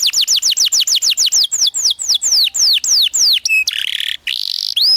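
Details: Canary singing a long master song for young canaries: a series of descending slurred notes slowing gradually, a short flat whistle, then a harsh buzzy roll and a rising note.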